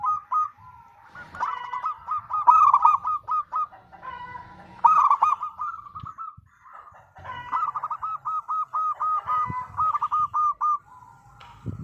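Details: Loud local zebra dove song, played to draw other zebra doves into singing. Several long phrases of fast, rattling coo notes, some rising into rolled trills, are separated by short pauses, with faint clicks underneath.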